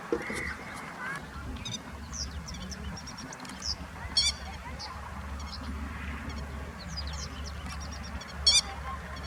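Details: A grey-headed lapwing parent standing guard over its chicks in Kyoto in late April gives two sharp, harsh, high calls a few seconds apart over a low rumble of distant traffic, with faint small-bird chirps.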